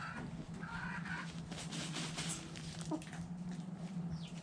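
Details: Backyard hens playing and dust bathing in the dirt, giving a few short, tonal clucking notes in the first second, over a steady low hum and soft scratching in the ground.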